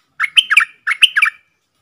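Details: Wild red-whiskered bulbul, very aggressive, calling back at a caged decoy: a pair of short, rich warbled phrases, each of three or four rising-and-falling notes, delivered about half a second apart.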